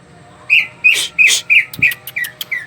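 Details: Greater green leafbird in full song, its song used to lure other birds into singing: a string of short whistles that gradually drop in pitch, mixed with hissy rasping bursts and thin clicks.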